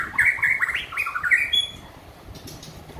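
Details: White-rumped shama singing after completing its moult: a fast run of rich, warbling whistled notes in a middle-high register, then a thin high whistle, over a steady background hiss.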